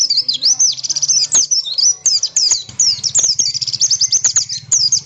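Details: Persistent oriental white-eye song played to provoke other birds into answering: continuous, very high, fast chirping and twittering phrases, sharp and busy throughout, with a faint low hum behind.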